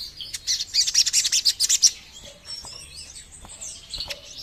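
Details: Played to attract birds, a Sogon bird gives a rapid string of about twelve shrill high notes over nearly two seconds, then quiet with distant faint chirps.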